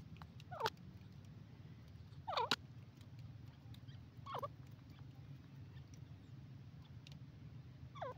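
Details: Grey francolin giving a series of clear, ringing notes that drop steeply then hook upward, repeated at uneven intervals of about two seconds, over a constant low rumbling background.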